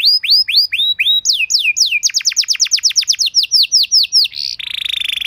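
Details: Training song for canaries to copy and respond to: a series of loud, clear downslurred whistles repeated about every third of a second, speeding into a rapid run of drops, then closing on a harsh buzzy roll.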